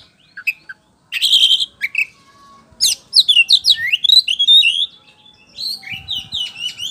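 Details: Song of a white-rumped shama used as a lure so birds reply: a few short notes, a harsh buzzy burst, then a fast stream of rising and falling whistled slurs and chatter.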